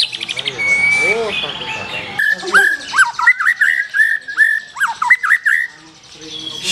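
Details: Black-tailed white-rumped shama delivering a run of quick, clear whistled notes that bounce up and down in a lively series, after a brief muddled opening of mixed sounds.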